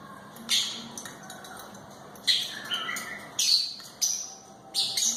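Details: Pet African grey parrot kept as a talking mimic, giving sharp high whistles and squawks in short bursts about once a second, with rising and falling whistled notes between them over a quiet indoor background.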